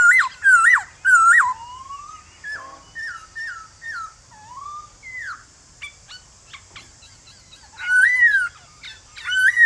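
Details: Male White-cheeked laughingthrush in the morning, singing a forest-style song to rouse a wild-caught bird. Strident looping whistles open, give way to a run of short downslurred notes and clicks, then loud looping phrases return, with steady high hiss.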